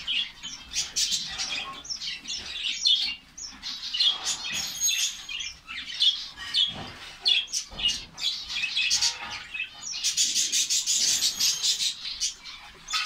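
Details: Many finches of a colony in Saudi Arabia chirping at once, continuous high twittering and squeaks with louder bursts, some sharp clicks and wing flutters among them.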